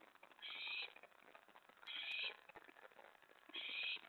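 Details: At an owl nest on the night of 24 May 2017, while prey is delivered: three drawn-out, hoarse hissing screeches about 1.5 seconds apart, with a faint click between them.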